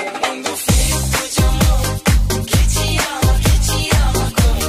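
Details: Loud electronic dance music with a pounding regular bass beat and no animal sound.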